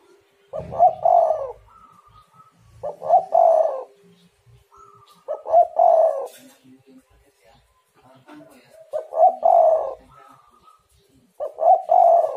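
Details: Spotted dove cooing, played as a lure to get other doves calling. Low, soft, hoarse coo phrases come in bursts about every two and a half seconds, five phrases in all, with faint higher notes between them.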